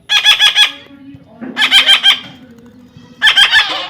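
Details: Young parrot during taming, calling in three evenly spaced bursts of rapid raspy pulses, each burst about half a second long and roughly one and a half seconds apart.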